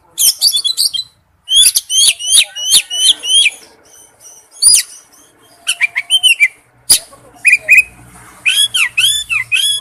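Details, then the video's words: A male oriental magpie-robin calls to a female with loud bursts of sharp, high whistles and chattering trills, some notes slurred downward, grouped in rapid clusters with short silent gaps between them. "tiếng chích chòe than gọi mái/chích chòe than trống kêu"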